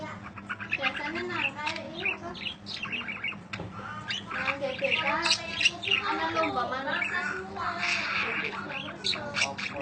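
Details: Long chirping budgerigar song meant as master audio for teaching other birds: continuous fast chatter of squeaky chirps, warbled upsweeps and clicks, uneven in rhythm, with soft human voices mixed in.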